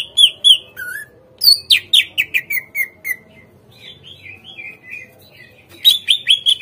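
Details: Greater green leafbird song serving as a lure for captive birds to answer and sing: bright slurred whistles, a fast descending run of sharp notes, softer warbled phrases, then another quick burst of repeated notes.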